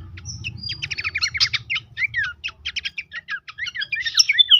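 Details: Pelanduk semak, Horsfield's babbler, in a tutoring recording meant to make birds active: a dense run of sharp chirps, rattled note bursts and downslurred whistles, almost continuous, with a low rumble at the start.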